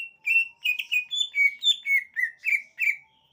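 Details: Song of a greater green leafbird: rapid repeated whistled notes, each a short wavering phrase, some rising then dropping, delivered in an even rhythm about three per second.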